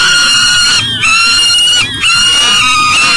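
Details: Peregrine falcon at a nest box at an energy recovery station beside the Mississippi River in Elk River, Minnesota, 7 a.m., July 12, 2012, unable to get into the box with breakfast; loud, sustained, harmonic-rich wailing with two short breaks.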